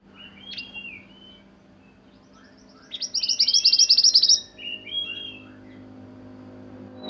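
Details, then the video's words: Sunbird (burung mantenan) singing in the roll nembak style used for song training: a few high whistled notes, then a fast bright trill of about fifteen notes over one and a half seconds, followed by short warbled whistles. "Burung mantenan gacor roll nembak untuk masteran"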